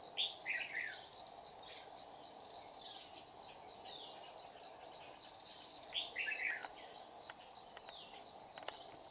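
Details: Red-whiskered bulbul, Má lỡ type, at a trap on 30 July 2019, a wild bird repeatedly challenging the decoy; two quick chattering warbled bursts stand out faintly against constant high cricket and insect noise.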